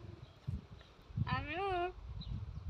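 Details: A parrot at Sa Coma Safari Zoo in Mallorca says "Allo!", a single drawn-out, wavering voiced word with a rising then falling tone, lasting about half a second, over quiet background murmur.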